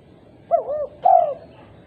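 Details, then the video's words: A female spotted dove calls out to other doves with one phrase: a pair of soft looping coos and then an extended, emphatic lower coo over quiet background hiss. "Tekukur betina gacor memanggil tekukur lain"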